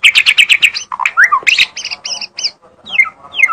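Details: Magpie-robin singing a quick series of repeated sharp notes, then slurred descending whistles and doubled high chirps, fading into softer scattered notes.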